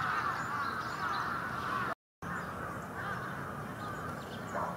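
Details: Wintering brambling flock, Yoyogi Park, February 2019: constant massed chatter from numerous birds, broken by a brief silent gap partway through, then resuming just as dense.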